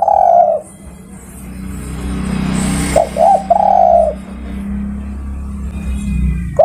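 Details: Spotted dove luring companions with mellow coos, a long note first, then a quick pair and a sustained coo, set against a steady low background rumble.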